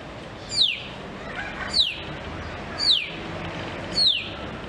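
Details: A grey parrot at Novosibirsk Zoo, 12 July 2024, gives four clear, sharply falling whistles, evenly spaced about a second apart, over faint background hiss.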